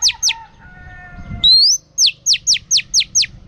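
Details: Female oriental magpie-robin, singing in a drumming style for voice training: two falling strokes, soft steady tones, then a rising whistle and a rapid run of six sharp down-slurred notes.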